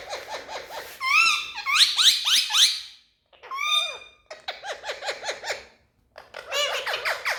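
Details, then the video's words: Indoor Indian ringneck parakeets, happy and speaking in a room, give bursts of rapid, bending squawks and chattery notes, with short silent gaps between noisy runs. "Speaking Parrots🌶So Happy🎊 Indian Ringneck"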